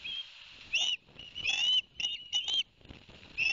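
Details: Ospreys at a New Jersey nest in Barnegat Light, 11 September 2021, after a two-fish delivery by the adult male; harsh, slurred whistles in short uneven bursts, partly overlapping, with background hiss.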